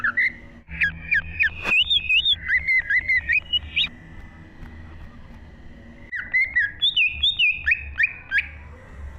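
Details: Green leafbird (cucak ijo) in full, varied 'gacor' song, recorded in 2023 as a training track for cage birds: two bursts of quick, high whistled and zigzag notes separated by a few seconds of near quiet, with a low background rumble.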